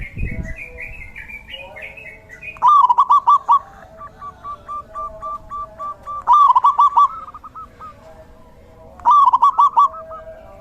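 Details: Several zebra doves singing in the rainy season: a soft higher call at the start, then three bursts of rapid cooing notes about three seconds apart, with fainter cooing between them.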